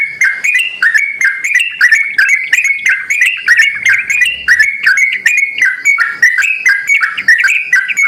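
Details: Lively sooty-headed bulbul lure call meant to make other bulbuls answer; rapid chains of short liquid whistles, rising and falling, about two to three notes a second, continuous and unbroken.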